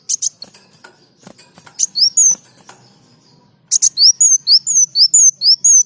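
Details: Sunbird (kolibri daun) singing for training other songbirds: loud clicking double bursts, then a rhythmic run of high, thin whistles that slur downward, repeated about twice a second.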